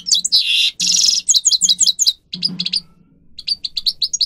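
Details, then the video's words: Grey-crowned goldfinch song meant for training captive birds: rapid twittering and buzzy trills high in pitch, dense phrases with a short pause midway, then clipped repeated notes; faint low hum underneath. "(Carduelis caniceps) Goldfinch song Best for training"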